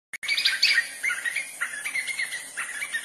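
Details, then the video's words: White-fronted nunbird song: after a sharp click at the start, a run of chattering, slurred whistled notes rises and falls in a rolling stream. A steady thin high hiss runs underneath throughout. "Canto pássaro Chora-chuva-de-cara-branca (Monasa morphoeus)"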